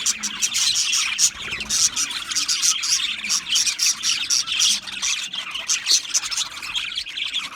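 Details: Budgerigars chirping together: continuous high-pitched chatter of quick chirps, squawky notes and warbles pulsing in bursts, many birds calling at once.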